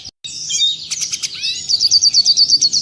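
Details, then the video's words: Clear red siskin tutor song for caged birds: a high buzzy twitter sliding into a fast run of repeated bright chirps, about eight per second. "Masteran burung redsiskin suara jernih."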